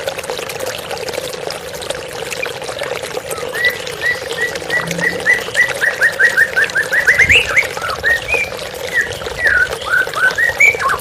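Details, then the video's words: White-rumped shama singing over steady running water in a therapy recording: after a quiet start, a long run of short, clear whistled notes repeated rapidly, rising into brighter slurred phrases toward the end. "TERAPI MURAI BATU Stres Macet Langsung pulih _ Terapi Murai Dengan Suara Air Mengalir"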